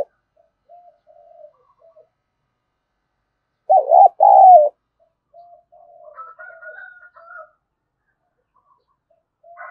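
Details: Decoy spotted dove luring wild doves gives one loud two-part coo, a wavering note and a longer falling one, amid faint softer cooing and thin whistles in the background.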